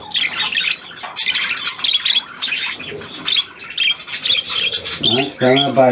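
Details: A new hand-tame Australian pied budgerigar chatters indoors, with dense, scratchy warbling twitters and squeaky notes running almost without pause, before a man's voice speaks at the end.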